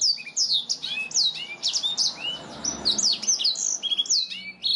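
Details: Black-throated canary in lively, nonstop 'gacor' singing, a clear-voiced song used as a tutor recording for training canaries: a dense, unbroken stream of high, sharp chirps, slurred whistles and quick trills, with notes tumbling over each other throughout.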